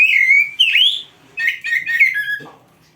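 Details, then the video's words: Oriental magpie-robin song played as a training tutor for young or quiet caged birds: loud, clear whistled phrases, a level note then rising and falling slurred whistles, a pause, then a quick run of varied sweet notes ending in a short harsh note. "MASTERAN KACER GACOR FULL ISIAN !! - Masteran Burung Kacer"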